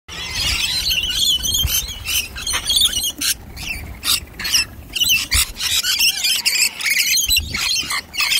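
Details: Wild flock of rainbow lorikeets arriving at and feeding from a nectar dish: dense, shrill, rasping screeches from many birds overlap, with bursts and short gaps across the whole recording.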